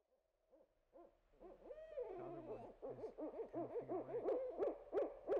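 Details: Barred owl calling: soft low hoots build into a loud, rapid series of rhythmic, wavering hooted notes, with a few deeper grunting tones underneath and a rising squealed note midway.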